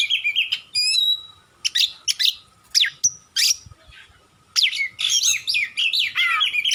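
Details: Kacer, the oriental magpie-robin, in full song for masteran use: sweet whistled notes, a high thin trill, sharp clicking chips, then a long rich run of warbled phrases after a pause.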